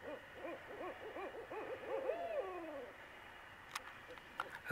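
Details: A pair of Barred Owls giving quick, bouncing arched hoots that run together into a long slurred note before fading. A few sharp clicks and knocks follow near the end.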